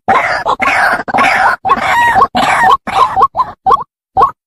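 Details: White-breasted waterhen call used as a lure to attract the birds: loud harsh croaking notes about twice a second, in a run of eight bursts growing shorter and more spaced toward the end.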